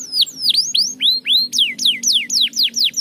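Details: Canary song meant to stimulate lazy canaries to sing: loud, clear whistled notes sweeping down then up, repeated rapidly in a steady rolling series with a faint low hum beneath.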